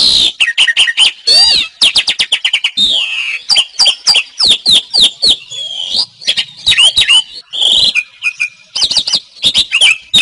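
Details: Asian pied starling (jalak suren) in gacor style, meant as tutor song for caged songbirds: a dense run of sharp whistled notes, upslurs and downslurs mixed with harsh rasping bursts, nearly continuous for ten seconds.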